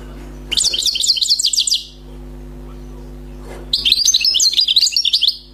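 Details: Wild European goldfinch, freshly trapped, delivering two lively bursts of song, each over a second long, made of fast jangling, high twittered notes separated by a short pause, with a faint steady hum behind.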